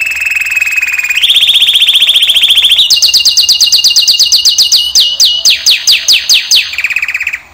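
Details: Male canary sings a low rolling trill, a higher steady trill, then long series of rapid dropping syllables that slow toward the end before a final low roll.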